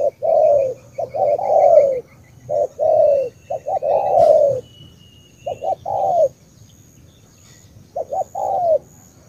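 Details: Cà Mau tú spotted dove from Vietnam repeating its coo. Short paired notes lead into a long, sinking, mellow croon, five or so times. There is a brief click and faint high-pitched chirping behind.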